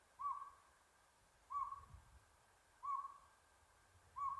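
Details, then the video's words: Northern pygmy owl, Buckhorn Campground in Los Angeles' San Gabriel Mountains, 7 April 2022: four clear single hoots at a steady pace of roughly one every 1.3 seconds, with light low background rumble. "Northern Pygmy Owl"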